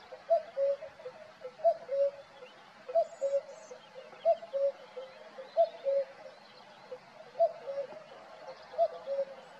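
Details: Male common cuckoo singing at Valdeolea: a clear two-note 'cu-coo', the higher note dropping to a lower one, repeated steadily about every one and a half seconds, seven phrases in a row over quiet background hiss.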